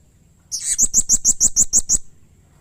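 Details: Blue-crowned hanging parrot in aggressive, excited calling that draws other hanging parrots to answer. A burst of about nine very high, sharp, evenly spaced notes lasting about one and a half seconds, opening with a harsher note.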